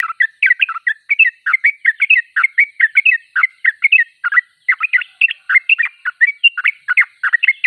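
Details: Steady, lively chatter from a Sooty-headed bulbul in full song: rapid, warbled notes follow one another without a break for several seconds.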